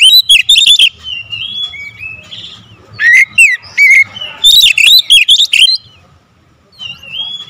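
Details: Oriental magpie-robin in dense lure song: fast volleys of bright, warbling whistles and piercing clicks, interspersed with softer drawn-out whistled notes, then a quiet spell before a faint final phrase, with a low constant hum.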